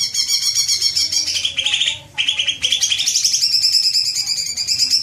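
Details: Green magpie lure sound to make birds chatter at length: continuous high buzzy chattering with layered whistled tones, a brief gap near two seconds, then steady chatter.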